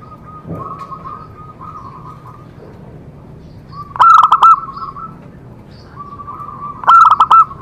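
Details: Zebra dove singing in a therapy recording meant to prompt other doves to answer: two loud bursts of rapid rolling coos about three seconds apart, separated by softer, longer cooing phrases.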